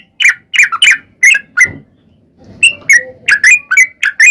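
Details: Sooty-headed bulbul in fighting-style song used as a lure: clusters of bright whistled notes, a pause with a faint low rumble, then a renewed burst of rapid chirps.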